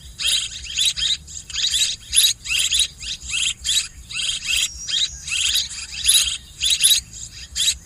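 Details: Swiftlets calling continuously: dense, buzzy high chirps packed close together in rapid bursts for nearly eight seconds, over a low background hum.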